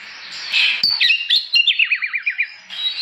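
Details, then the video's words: Oriental magpie-robin in morning ngeplong song, meant to goad other magpie-robins to sing; a few sharp high notes lead into a fast wavering trill that drops in pitch, over a steady hiss of background noise. "Burung kacer gacor pagi hari, bikin emosi kacer lain supaya ikut bunyi.."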